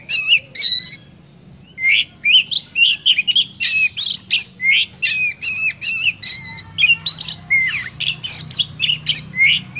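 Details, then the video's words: Oriental magpie-robin from Vietnam giving a lure song meant to stir other birds into singing: a rapid, unbroken run of bright whistled phrases, sharp slurred notes and buzzy trills, with brief pauses between bursts and a low steady hum beneath. "Kích chim chích chòe than hót , tiếng chỏ mồi hay nhất Việt Nam"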